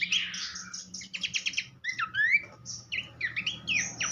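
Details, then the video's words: Horsfield's babbler song used as a tutor recording for training songbirds: rich, varied whistled phrases, a falling slurred whistle, then quick stuttered notes, a rising whistle and sharp descending chirps, with a faint low hum beneath. "vokal mewah sang guru masteran khas pelanduk semak."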